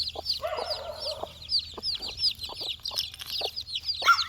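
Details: Chicks four days old forage for insects, filling the air with many shrill overlapping peeps that bend up and down. A lower, harmonic chirp runs briefly near the start, and sharp taps punctuate the flock's steady chatter.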